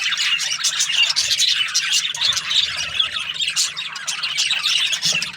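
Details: Budgies chirping in the morning: a dense, continuous chatter of high scratchy squawks and short warbled notes from several birds overlapping, with a faint low hum underneath.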